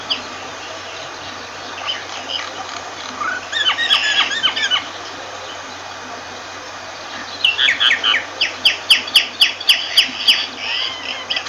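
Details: Myna heard at moderate distance: a brief cluster of gurgling notes, then a quieter spell, followed by a steady run of sharp, clicking descending notes about four per second.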